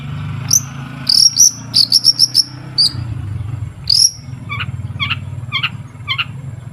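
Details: Long-tailed shrike in full 'gacor' song, played as a lure to get shrikes singing: high thin whistled notes repeated in quick runs, then lower paired chips spaced about half a second apart, over a constant low hum.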